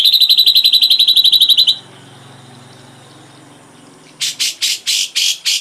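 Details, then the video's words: Ashy drongo tutor recording, full set of phrases for songbird training: a rapid, even trill of high notes, a short pause, then five loud rasping bursts. "Masteran srigunting abu abu isian lengkap"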